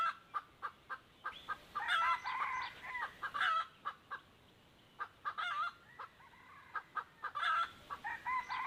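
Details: Two wild chickens drawn in by a decoy hen, 1 April 2024, crowing repeatedly: hoarse, wavering crows near two, three, five and seven seconds, separated by a steady series of loud clicks.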